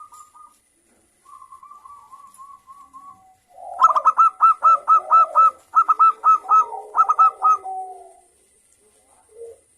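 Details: Local zebra dove in full song, with a clear crystal voice, used to stir other doves to sing: soft cooing first, then a quick run of about a dozen bright, staccato, ringing notes in close bursts, ending in a low trill.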